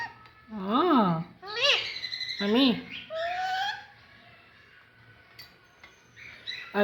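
Alexandrine parakeet talking: three or four raspy, speech-like phrases that swoop up and down in pitch, then a quiet pause and a short squawk at the end.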